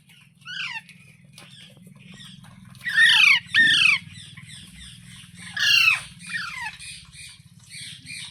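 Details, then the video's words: Green parrot giving loud, falling squawks in bursts, mixed with softer, higher chirps, over a steady low hum in the background. "Green Parrot Talking Natural Sounds"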